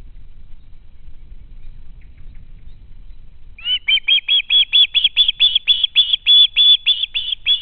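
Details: Young osprey begging from a parent at the home nest, captured on a live nest camera: a few quiet seconds, then a fast, insistent series of about fourteen shrill, whistled screams.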